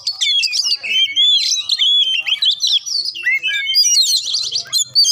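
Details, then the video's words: Singing magpie-robin, its song played to rouse a bird that is slow to sing; a dense run of loud, fluty whistles, slurred upward and downward notes and quick chattering phrases. "Kacer Susah Bunyi Dijamin Langsung Ngamuk Dengar Suara Kacer Satu Ini"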